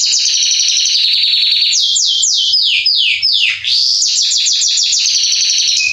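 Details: Warm-up song of a male Belgian canary, Salsa type: fast trills give way to a series of slow downward-swooping whistles, then rapid chirped notes return, loud throughout.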